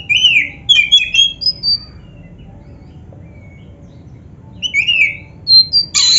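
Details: Oriental magpie-robin song used to train other birds to sing: short bursts of sharp, varied whistles and chirps, some rising and falling, separated by a long quiet pause, ending in a buzzy harsh note.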